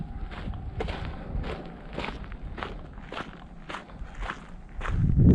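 Footsteps crunch along an abandoned canal trail, roughly two steps a second, with a louder rustle near the end and no animal voices.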